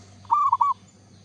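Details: Lively local zebra dove giving one soft, rolling cooed phrase of three linked notes, with a low steady hum behind it.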